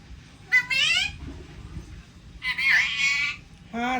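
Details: Pet talking parrot indoors saying high, voice-like words, with a person's speech and room noise in the background.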